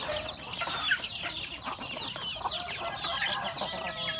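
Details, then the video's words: Breakfast time for a flock of domestic chickens, roosters and hens at home; shrill descending chirps scattered over steady mid-pitched chatter and soft clucks. "Beautiful sound of chicken eating breakfast, Roosters and Cutest hen"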